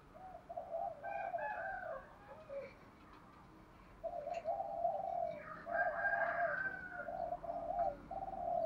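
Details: Spotted dove cooing to incite fighting and train decoy birds. Low rolling coos repeat in runs of several notes, with a pause mid-way. A faint hiss runs beneath, and other soft bird sounds mix in above.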